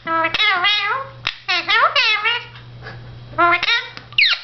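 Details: Indoor pet Indian ringneck parakeet, blue, talking to himself in the mirror: several bursts of parrot speech with wavy, harmonic inflections, a pause, then more words ending in a squeaky upward note; faint room hum throughout.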